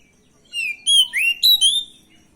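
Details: Oriental magpie-robin, an untrained, stressed bird, used as a lure to provoke a reply. It sings a short run of loud, clear whistled notes: sliding, rising and falling phrases, with a brief pause between them. The background is quiet.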